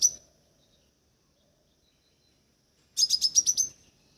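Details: Crimson sunbird (Aethopyga siparaja) giving a brief high, thin chip, then a rapid burst of about seven sharp, high-pitched twittering notes in under a second.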